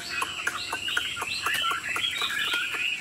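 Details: A tame Chinese Hwamei kept in a cage sings while nodding and playing its wings, a continuous bright warble of quick looping whistles with brief sharp accents and light clicks.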